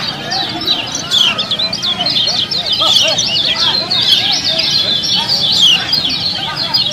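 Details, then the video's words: Gonsrengan chorus of lemon-bellied white-eyes at a songbird competition: rapid, busy high twittering and chirped notes crowding together without pause, over softer lower warbles and a background murmur. "Video kecial kuning LOMBA ‼️Latih Mental Kecial Anda 👍FULL GERONSENGAN dan Suasana Lomba"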